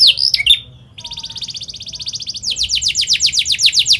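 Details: Atlantic canary giving fast, tightly rolled song for young canaries to copy: a few sharp slurred notes, a soft rapid buzzy trill, then louder quick descending chirps repeated in a dense run.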